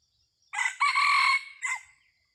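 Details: A red junglefowl kept as a decoy for luring wild junglefowl, recorded 30 October 2023, gives a short harsh crow: a brief opening burst, a long loud strained middle, then a clipped final note, about one and a half seconds overall.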